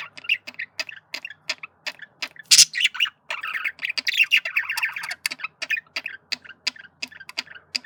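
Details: Male budgerigar flirting: a string of quick clicking ticks and short chirps, a loud squawk near the middle, then a burst of continuous chattering warble.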